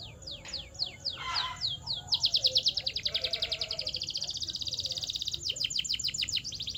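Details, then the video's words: Canary song used to stimulate other canaries to sing: a few separate downward-slurred whistles, then a long, fast, buzzy rolling trill of rapid repeated notes, ending in quicker sweeping phrases. "The Ultimate Sound to Make Any Canary Sing Unstoppable!"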